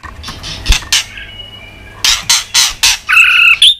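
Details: White-rumped shama in fighting song with tail-flicking: repeated harsh broadband ticks at about four per second, a faint steady tone between them, and a short whistled phrase at the close.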